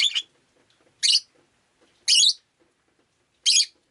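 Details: Pet rosy-faced lovebird calling on a rainy day, giving four harsh, buzzy chirps spaced about a second apart, each noisy and high-pitched, with faint low background murmur.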